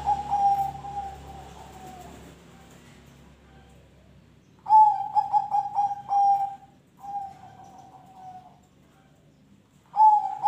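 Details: Cooing song of a zebra dove, played to encourage other birds to start singing; a long sliding coo fades, then a burst of rapid soft beats and drawn notes, another trailing coo, and a fresh phrase at the end.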